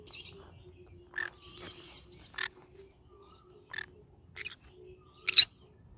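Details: Pet yellow-sided green-cheeked conure singing in the morning: short, scattered bright squeaks and chirps separated by pauses, with a single louder, sharper squeak near the end.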